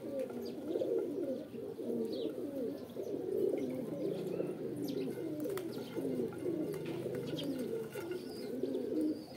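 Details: Pigeons cooing together in a dense, continuous chorus of low, throaty rolling coos that overlap without pause, with faint scattered clicks and rustles above.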